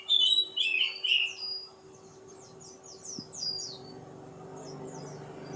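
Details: Kacer poci Oriental magpie-robin opening with three loud rich whistles, then a series of faint quick downslurred high notes, with a constant low hum behind.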